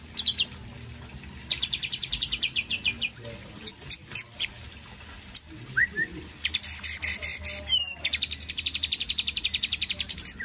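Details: White-rumped shama singing a song filled with mimicry said to sound like a real kapas tembak; rapid runs of sharp repeated chips, a few loud clicks and a brief rising whistle, over a faint low hum.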